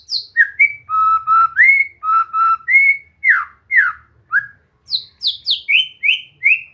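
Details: Practice song of a white-rumped shama, meant to make a bird sing and go gacor; loud, continuous melodic whistles, sweeping downslurs and steady held notes, ending in a series of descending high whistles.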